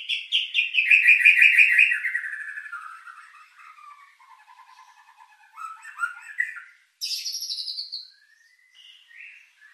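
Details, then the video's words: White-rumped shama lure song packed with filler, to stir emotion and mating drive: a loud descending trill fading into soft warbles, then scattered whistles and a high buzzy burst. "Pancingan murai batu isian mewah mendongkrak emosi&birahi"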